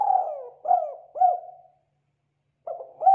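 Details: A spotted dove's morning lure call, meant to prompt other doves to call back: soft, low cooing, a few quick hooting coos about half a second apart, then a pause and more coos.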